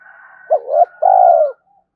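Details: Spotted dove cooing at a rival wild bird in the morning: a short dipping hoot and a rising note, then a sustained low coo falling at the end, over a faint steady high background tone.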